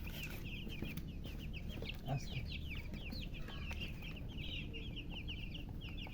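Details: Baby chickens, chicks thirsty for drinking water, giving a continuous run of high, rapid, downward-slurred peeping chirps from several birds, with low rumbling background noise throughout.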